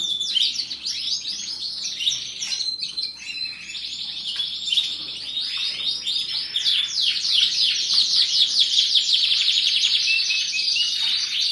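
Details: Canary delivering a sustained bright trilling song, with fast repeated chips giving way to rolling high warbles that grow louder toward the end.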